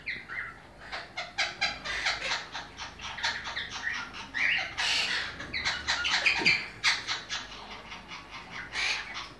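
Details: Monk parakeets, Quaker parrots, kept for breeding, with rare colour forms: dense, harsh, grating squawks from several birds overlapping almost continuously, with louder bursts around the middle.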